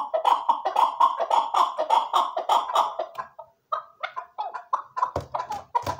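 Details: Chukar partridge delivering a rhythmic series of ringing, clucking notes that pauses briefly, then resumes in shorter, uneven chuks, with a low thud near the end.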